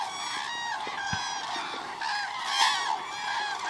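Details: Cranes at Agamon HaHula lake on 30 December 2014. A continuous dense chorus of many overlapping rolling, trumpeting calls, rich and harmonic, with slight swells in loudness and no clear gaps.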